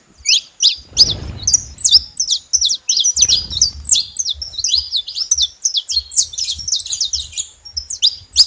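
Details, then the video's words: Saffron finch heard free in nature, pouring out a rapid stream of high, sharply slurred chirps, nearly continuous throughout, with two bursts of low rustling noise underneath. "canário da terra livre na natureza"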